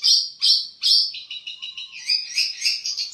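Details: Long-tailed shrike, a hobby songbird that imitates other species, opens with three loud harsh bursts, then shifts into a quicker twittering string of softer chirps.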